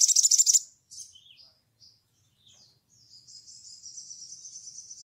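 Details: Crimson sunbird, 'ngleper' chattering style, calling to a rival: a loud burst of rapid high trill, a few short slurred notes, then a softer, fast, high rippling trill running steadily to the end. Nothing else is audible.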